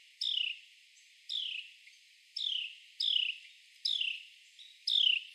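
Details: Loud descending chirps from a male Carolina wren as it crawls on a tree trunk catching and eating insects, six sharp downslurred notes spaced roughly a second apart, with soft high ticks in the gaps.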